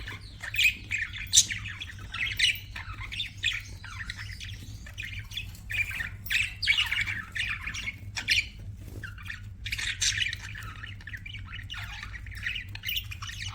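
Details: Pet budgerigars chirping: a busy stream of short, harsh squawks and warbled chirps in rapid bursts, high and scratchy, with chattering overlapping notes throughout and a steady low hum underneath.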